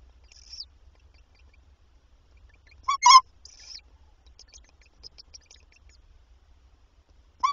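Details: Tawny owls at a nest with three young at night on 29 April, as the adults deliver mice: two short, harsh, sharp calls about four seconds apart, with faint thin high squeaks between.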